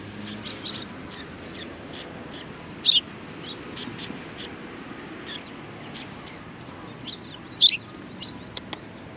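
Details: Sparrows at a Tenmangu shrine in Japan in February 2020: repeated short, high chirps at a fairly even pace of about two a second, with a few louder, fuller notes standing out.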